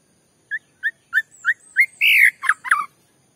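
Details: White-rumped shama lure song meant to rouse a rival shama: a series of short rising whistled notes repeated about every third of a second, building into a loud, full warble and a few scratchy, tumbling notes.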